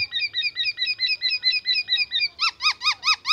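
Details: Black-naped oriole delivering imitated oriental magpie-robin phrases: a regular chain of thin, high whistled hooks, switching to louder, fuller arched whistles near the end.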